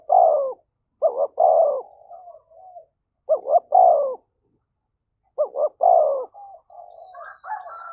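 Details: Fight-provoking cooing of a spotted dove, thổ voice: three loud phrases about two seconds apart, each a short double note then a long falling coo, with soft trailing notes between. A faint higher tone enters near the end.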